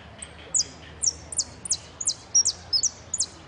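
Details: Saffron finch singing in the 'amarillo sin cierre' category of a singing contest at Pirán on 25 September 2016: sharp, high, descending chip notes, often paired with a short upslur, repeated roughly every third of a second over quiet background hum.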